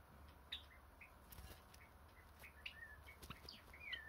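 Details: Java sparrow kept as a pet, calling with scattered short high chirps and brief sliding notes, some rising or falling, mixed with soft wing flaps and light rustling indoors; no music added.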